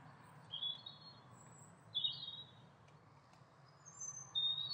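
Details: Eurasian siskins, a pair, uttering brief bright chirps roughly every two seconds, with a faint thin high whistle in between, over a quiet low hum.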